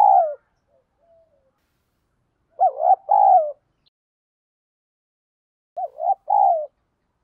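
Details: Spotted dove calling in the 'giọng đồng thúc' voice style, used as a lure when training decoy birds. Low, mellow coos come in short phrases: a looped double note, then a longer fading hoot, with quiet gaps between phrases.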